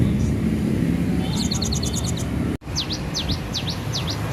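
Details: Cinereous tit of Aceh stock, caged and hung high at home, in lively song: a fast run of high paired notes, then a brief break and five clear, sharply rising-falling whistles spaced evenly, against constant low background rumble.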